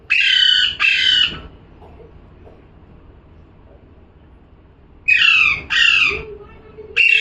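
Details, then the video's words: Calling parrot delivers paired raspy screeches, then a long quiet gap before another pair and the start of a third harsh squawk near the end. "#parrot🦜🦜🥰 #calling sound"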